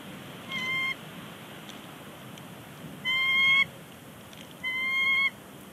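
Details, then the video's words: Pair of bald eagles at their Big Bear Lake nest, vocalizing before leaving; recorded January 30, 2020. Three thin, level, whistled squeals, each under a second, spaced irregularly over steady background hiss. "Big Bear Lake eagles; chatter on the nest."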